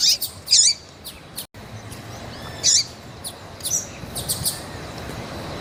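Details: Calling female double-collared seedeater, meant to warm up males; a few scattered high, thin chirps separated by pauses over a steady low background hiss.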